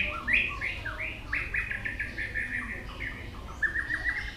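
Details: White-rumped shama, singing in many switching voices while flicking its tail, gives a quieter run of quick repeated slurred notes and short warbled phrases, with background noise.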